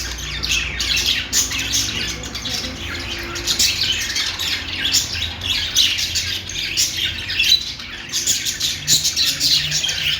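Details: Budgies singing a long, rambling chatter of harsh squeaks and fast twittering, swelling and easing in waves over a faint hum.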